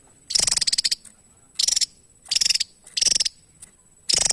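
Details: Javan tesia giving repeated short rattles: five quick bursts of fast, buzzy, high-pitched pulses, each under a second long, spaced by short pauses.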